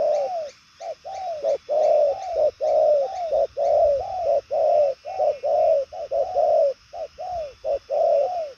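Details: Spotted dove of the purple-legged 'đồng son' type cooing strongly, with a long-carrying, fast-paced delivery. Low, mellow, arched coos come in rapid rhythmic groups, with short gaps between phrases, over a faint steady hum.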